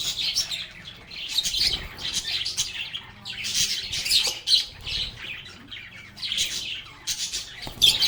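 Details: Noisy lovebird chatter, rasping squawks and piercing chirps overlapping steadily as the birds sing, play and talk.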